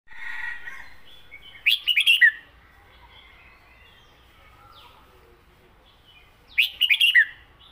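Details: Caged red-whiskered bulbul singing a southern-style song: two short, loud bursts of rich, warbled notes about five seconds apart, each a quick run of four or five slurred whistles, with quiet faint background chirps between.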